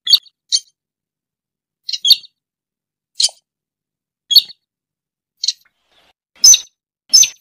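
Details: Lure call of a rail, called sintar or tikusan, for trapping birds: a steady series of brief, high-pitched squeaky notes, often paired, roughly one per second, ending in louder, harsher chirps.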